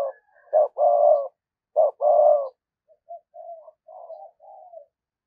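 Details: Spotted dove used as a lure bird, cooing in the 'thúc gù' style: two short loud coos lead into a long drawn coo, then another short-and-long pair, followed by a series of softer, quieter coos.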